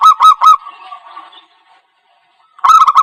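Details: Zebra dove lure call used for trapping: a few quick, throaty staccato coos, a softer trailing note, a silence, then another rapid burst of coos.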